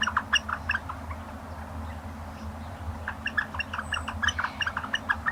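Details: Northern Flickers close to one another give their squeaky wicka-wicka call, rapid notes in quick bursts of about three a second, over a low steady rumble.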